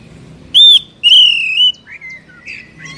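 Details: Captive Oriental magpie-robin song played to stimulate a caged bird to sing: two loud whistled notes, the first a short high upslurred whistle, the second a longer flat whistle, followed by softer varied chirps.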